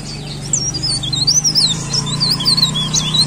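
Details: Cikrak daun leaf warbler giving a continuous thin, wavy, high whistled song over a noticeable low droning hum, the looping notes running steadily from half a second to the end.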